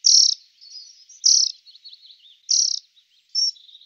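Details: Dunnock giving sharp, high, piercing call notes about once a second, with softer, thin wavering notes filling the gaps; no other sounds.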